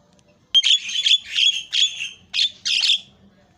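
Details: Javan myna singing: a burst of harsh, buzzy, high notes in six rapid phrases, the last two scratchier, over quiet low background noise.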